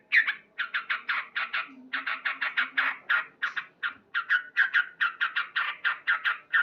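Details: A male sooty-headed bulbul sings loudly in the morning, delivering steady rapid series of clipped, bright chirps in groups of three to five, with a brief pause midway.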